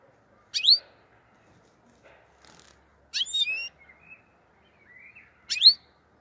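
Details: Black-headed goldfinch from Andijan, Kuva and Fergana, Uzbekistan, giving sparse song phrases: loud, sharp downslurred notes spaced about two seconds apart, with faint thin whistles between them in a quiet setting.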